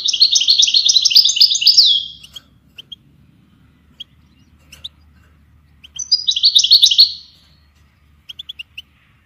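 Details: European goldfinch song used to train songbirds: a fast rolling trill lasting about two seconds, a quiet gap dotted with single chirps, then a shorter similar trill, with soft low rumble beneath.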